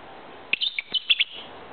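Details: Pet lovebird, two years old, singing to its owner: a quick run of bright, high chirps and short twittering notes packed into about a second, with faint room hiss behind.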